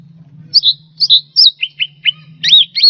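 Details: Cucak rante song, a recording used to tutor pet songbirds. Clear, high whistled notes with short slurred upswept and downswept phrases, several quick chirps in under three seconds, with a faint low hum beneath.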